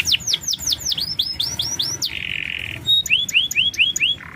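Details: Canary singing on a lure track to make reluctant birds respond: a string of looping downslurred whistles, a flat buzzy note, then more rising-and-falling whistled phrases.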